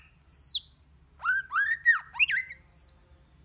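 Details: White-rumped shama song of many voices, meant to stimulate other shamas into singing: a high whistle dropping at its end, then a run of warbled, slurred notes and an upward-flicking phrase, closing with a short high whistle.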